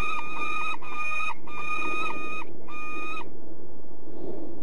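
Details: Peregrine falcon in De Mortel, Netherlands, uttering four or five grating, nasal notes of about half a second each in an uneven sequence, then falling silent over a low background murmur.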